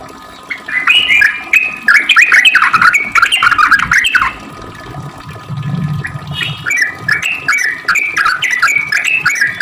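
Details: Sooty-headed bulbul singing actively in long rapid runs, used to lure other bulbuls into replying: bubbly, chattering phrases of quick rising and falling notes, pausing briefly mid-way, with a low rumble in the background.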